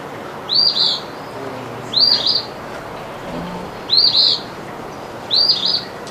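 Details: An Eastern Phoebe near houses gives its territorial song, a short, burry two-part phrase repeated four times at roughly 1.5-second intervals, high and raspy over a faint steady hiss.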